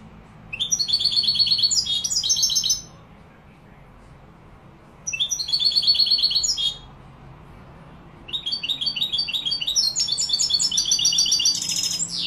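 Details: Málaga-style song of a European goldfinch, Morocco: three bursts of fast, high, sparkling twitters and trills, each lasting two to four seconds and separated by quiet gaps, the last phrase longest and most varied.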